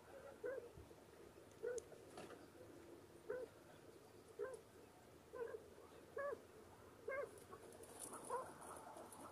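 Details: Broody mother quail with chicks, sheltering the cold ones under her wings, gives soft, low, nasal clucks, each short and repeated roughly once a second, with faint rustling in the background.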